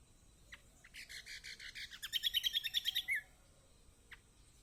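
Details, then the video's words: Kecial kombok song meant to trigger singing in silent birds: a fast buzzy rattling trill lasting about two seconds, rising into clear repeated whistles and ending in a dropping note. "Masteran Kecial kombok/kecial kombo || Pancingan buat kecial kombok malas bunyi auto gacor!!"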